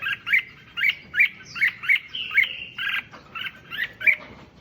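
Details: Red-whiskered bulbul song used to rouse other bulbuls: a steady series of bright chirped whistles repeated about every half second, with a few longer slurred notes mid-sequence.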